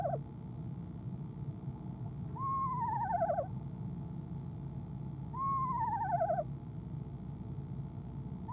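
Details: Eastern screech owl female calling from a nest box on an evening in late January, before leaving at dusk; two descending whinnying trills about three seconds apart, each rising briefly then sliding down into a quavering wobble, over a steady low hum.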